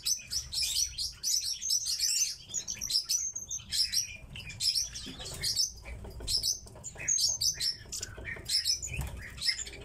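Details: Captive tits chirping in high, thin bursts, with wing flutters among the calls and a busy overlapping chatter.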